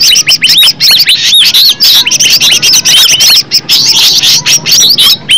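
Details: Green leafbird in full natural song, used as a lure: fast sequence of curling, high whistles and squeaky chirps, loud and tightly packed, with a few very short breaks.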